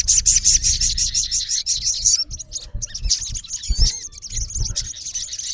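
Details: Rival-directed calling by a male olive-backed sunbird: a fast, buzzy stream of high ticking notes for two seconds, then a broken sequence of thin chirps and curling whistles over low background noise.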